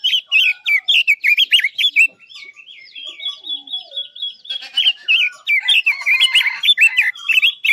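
Chinese hwamei song: rich, varied whistled phrases that rise and fall rapidly, with twisting slurred notes and chattering runs, continuous with only brief pauses.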